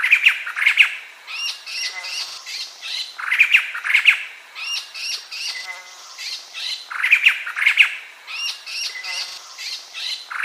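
White-crested laughingthrush giving loud, harsh cackling bursts of squawky chattering notes, each outburst lasting a couple of seconds and repeating about every three and a half seconds.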